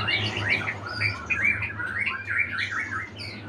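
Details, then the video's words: Retired champion magpie-robin, a contest bird, delivering a rapid stream of bright, slurred whistles and chirps at a fairly high pitch, with a constant low hum beneath. "Murai Badheuk Sang Juara Pensiun"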